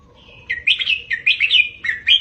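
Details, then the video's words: Red-whiskered bulbul tutor song, 'double 3-4-5' style, for caged birds to copy: a level whistle, then a lively string of about eight chirpy, bouncing notes ending in a rising flourish. "เสียงนกกรงหัวจุก เบิ้ล3-4-5 ก๊อปติดง่าย 100%"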